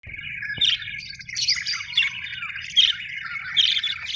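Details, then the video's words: Happy budgerigars, described as Australian birds, chirping in a dense, buzzy warble with scratchy notes and brighter squeaks roughly every second, several birds overlapping, with a low hum underneath. "happy budgies chirping sound"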